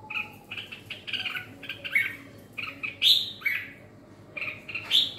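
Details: Ché-style singing of a red-whiskered bulbul: loud, bright, scratchy chirps and rising whistled flicks in uneven clusters, louder peaks around three and five seconds, over a faint low hum.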